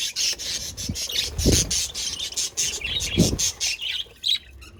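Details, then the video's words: Budgerigars in a dense, continuous chatter of rapid high chirps and scratchy squawks, broken by dull low thumps near the middle. "sound of budgies Beautiful Sounds budgies parrots"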